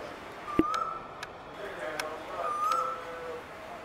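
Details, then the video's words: A male Asian koel gives two clear, slightly rising whistled notes about two seconds apart, over background hiss and a few sharp clicks. "ASIAN koel male call"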